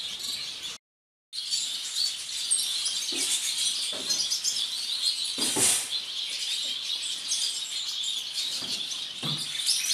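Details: Violet-mutation masked lovebird, standard form, held in captivity; a constant bright, shrill chattering of quick high chirps, broken by a short silent gap near the start, with a few louder sharp notes and clicks.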